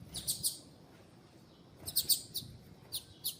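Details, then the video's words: A female Double-collared seedeater (Sporophila caerulescens) gives short, high, thin chirps, singly and in quick pairs or triplets, with pauses between bursts over a quiet background; the calls are used to stimulate males to sing. "Piado Fêmea de Coleiro para Esquentar e Foguear Coleiro Tui Tui"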